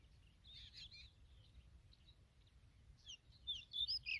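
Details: A familiar chat with her newly hatched babies: calls and a scatter of thin, high chirps come in short bursts, loudest near the end, over a low steady rumble.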